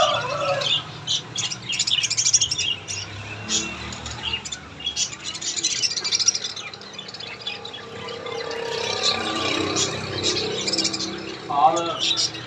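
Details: Pair of plum-headed parakeets calling: busy high squawks and chirps in overlapping bursts, with a short tonal note near the end.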